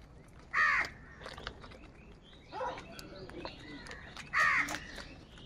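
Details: Three harsh caws roughly two seconds apart, the middle one softer, from a group of crows competing for food in the morning, with light clicks and rustling between calls.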